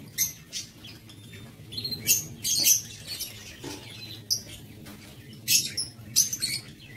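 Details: Shrill chirping from lovebirds kept in a breeding aviary comes in sharp, high bursts spaced irregularly, with quieter gaps between them over a steady low background hum.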